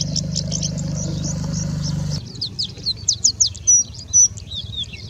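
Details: A Singing bushlark in India pours out a fast, jumbled run of high chirps, scratchy notes and a few pure whistles, mimicking Indian Robin, Pied Bushchat, Plain Prinia and Common Woodshrike; a low engine-like hum fades out early.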